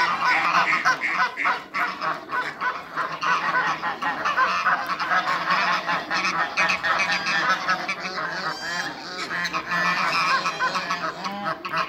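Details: A flock of eight African and Toulouse geese kept on a farm honks continuously, harsh trumpeting notes piling over one another in a busy, noisy chorus for the whole stretch.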